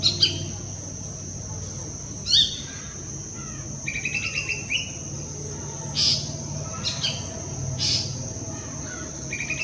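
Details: Golden-fronted leafbird at Pawas in India's Western Ghats giving varied high chirps, a quick rattling run of notes midway, then sharp separate calls, with a constant high-pitched insect hum behind.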